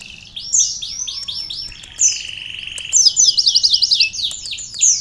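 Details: Sunbird in full energetic song with canary-style phrases worked in: high, rapid downslurred chirps in quick runs, a flat steady whistle near the middle, then a fast sparkling trill of bright notes, with brief high squeaks between phrases.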